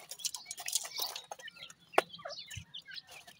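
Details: Young francolin chicks, locally called dakhni teetar, peeping while being fed: short high chirps, a loud tap near the middle, and scattered soft pecking sounds.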